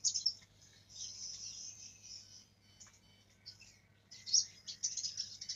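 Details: Young black-throated canary practising its rolling song: sustained high buzzy warble at the start, a quieter gap, then renewed sharp twittering notes, over a constant low hum.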